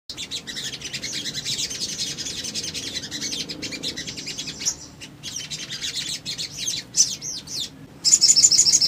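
Little spiderhunter giving rapid, high, thin chipping notes in a busy stream, then a quick even run of sharp chips at the end.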